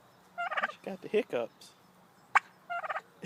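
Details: White female turkey seeking attention, giving short bursts of rattling, pulsed calls with a sharp click between them, over a low steady background hum.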